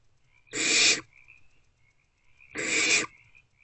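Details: Barn owlets in a nest box at night, between 1:28 and 3:20 am on 3/2/24, snuggling together; two harsh, broadband hissing screeches about two seconds apart, each lasting half a second, with faint high whistly tones between.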